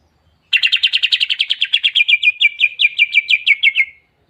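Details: Greater green leafbird's long-burst song: after a moment of quiet, a rapid series of sharp chip notes that slowly drop in pitch across three and a half seconds, then stop abruptly.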